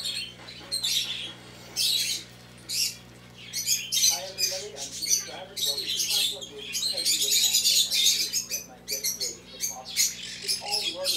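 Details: Two black-headed caiques, a very affectionate pair kept at a bird shop in Mizunami, Japan, giving short shrill screeches and rasping squawks in irregular clusters, with a constant low electrical hum beneath.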